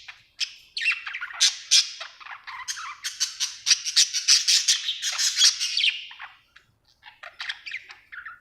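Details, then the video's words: Cheerful budgerigar giving a continuous stream of rapid chirps, squeaky warbles and short squawks, busy and lively, easing off briefly before a few final chirps. "Happy budgie chirping sound"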